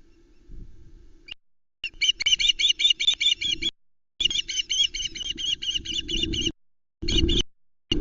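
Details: Ospreys at the Loch Arkaig nest on 19 July 2020, three chicks present as an adult delivers a whole trout, the fourth fish. Rapid series of sharp, high chirps in repeated bursts, with short silent gaps and a low hum underneath.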